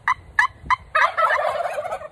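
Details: In Florida near spring, three short, sharp yelps, possibly from an old turkey box call meant to draw males' attention, are followed by a pet domestic tom's fast, rattling gobble lasting about a second.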